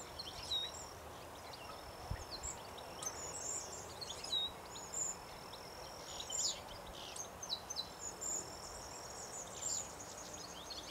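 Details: Silvereye, one of a small group, in an overgrown field of tall grasses, weeds, bushes and trees, Richmond Lowlands, NSW, early September 2017; thin high chirps scattered over eleven seconds above a faint steady high tone and soft background hiss.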